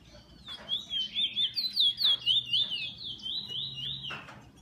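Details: Kept bullfinch singing a long, pure, fluting whistle that wobbles rapidly in steady waves, about two per second, then holds a level tone before stopping; soft background hum.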